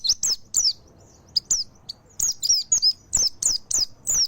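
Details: Mountain white-eye singing in full nembak style: a quick series of very high, thin chirps that slur downward, coming singly and in short clusters over four seconds against a quiet background.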